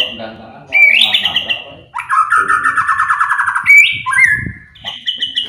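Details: Loud white-rumped shama song meant to stir other birds to sing. Bright whistled notes lead into a long, fast, buzzy trill, then sharp rising and falling whistles, with faint low murmuring in the background.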